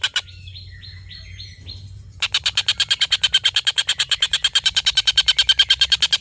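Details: Collared kingfisher giving a long laughing call, recorded as a tutor for competition songbirds such as white-rumped shamas: after a few thin whistled notes and a pause, a fast, steady, harsh chattering rattle of many even notes runs on without break.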